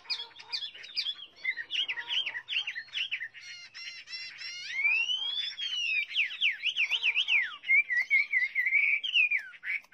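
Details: Chinese hwamei singing a rich, varied phrase sequence: fast scratchy notes, then buzzy repeated bursts, long rising-and-falling whistled slurs and quick zigzag trills, delivered continuously without pause.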